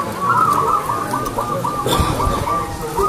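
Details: Zebra dove of a local strain in full loud song with a clear, ringing voice: a rapid run of short, bright, even-pitched cooing notes that continues without pause, with a low rumbling background and a brief click.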